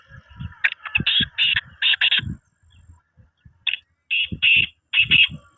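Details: Black francolin calls meant to attract other francolins: loud, harsh grating phrases in bursts of several notes, a break, then another series, with low thumps and handling noise underneath.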